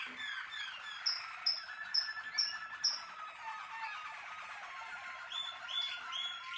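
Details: Rolling, watery trills from a Malinois Waterslager canary, punctuated early by five sharp high piping notes spaced about half a second apart, then softer gurgling and a few rising chirps.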